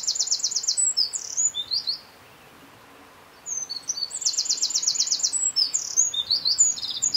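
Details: Eurasian wren at N49°52' E18°11', in Czechia, singing loud, high, rapid bursts of trills and sharp notes, with a short pause between two explosive phrases; faint background hiss.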